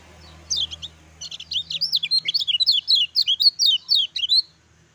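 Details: Lemon-bellied white-eye in full ciak ciak jos song, a fast, unbroken string of bright, high zigzag chirps, roughly four per second, running for about four seconds over near silence.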